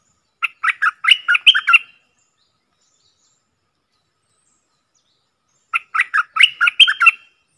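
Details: Bulbul calling as a decoy bird, recorded in the real forest among four decoys: two bursts of rapid, warbling, gurgling notes rising in loudness, roughly four seconds apart, with silence between.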